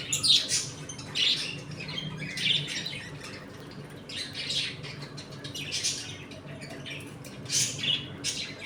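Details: Budgerigars in a home colony, eating, playing and fighting; scratchy chattering bursts and squawks come in clusters about once a second over a low indoor hum.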